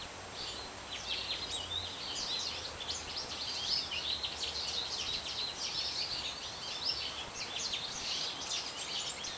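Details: Goldfinches singing in a backyard with birch trees and a quaking aspen: a continuous, fast twittering of thin, high chirps and short warbled notes, fairly faint over steady background hiss.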